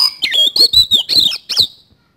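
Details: Oriental magpie-robin in vigorous song with kasan fill: a rapid sequence of loud, warbling, slurred whistles with harsh chattering edges, six or seven bursts within two seconds.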